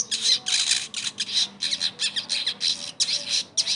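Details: Sogon bird song used to get a silent bird singing again; dense, unbroken rasping and buzzy high squawking notes in quick rhythmic pulses.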